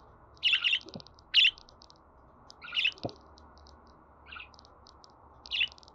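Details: Budgerigar sounds for pet birds to listen to before they sing: short, scratchy chirps at irregular intervals, with soft ticking between them and a couple of dull knocks.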